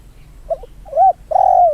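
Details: Near two-year-old trained decoy Spotted Dove, once ill with a twisted neck, coos at field training: a doubled short note, an arched mid coo, then a long steady drawn-out coo ending the phrase, clear and close.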